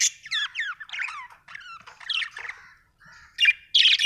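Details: Budgerigar chirping with a run of quick wavering whistled notes sliding up and down, then harsh scratchy squawks near the end.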